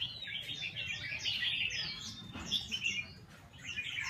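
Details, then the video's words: Red-whiskered bulbul kept in a cage, practising song. It gives lively clustered chirps and rising whistled notes, with a short dip in the middle, over a soft low rumble. "Chao mao ti hon moi xong long di dot coi"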